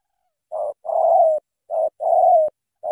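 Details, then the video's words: Spotted dove from Cà Mau, Vietnam, singing its full "thổ tơ" song in a strong voice. Soft, hollow low coos alternate short and long, each long note sliding slightly downward, in a steady repeated rhythm. "Thổ tơ âm khủng chim đủ bài bản"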